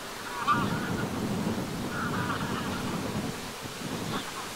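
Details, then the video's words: Greylag geese flying at sunset over the shore of Lake Vänern, Sweden, on 13 August 2023, give nasal, braying honks in a few spaced bursts about every two seconds, over a steady low rumble of wind. "OIES Cendrées/Vols/Coucher du Soleil ! BRUITX"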